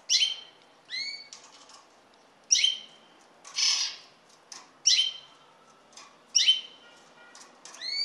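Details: Linnet with a run of quick, ringing downslurred chirps at irregular intervals, mixed with short rustling bursts.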